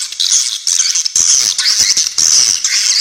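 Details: Very clear swiftlet calls used to tutor songbirds: a continuous high twittering chatter with sharp rasping besetan notes and quick scratchy pulses of about two per second.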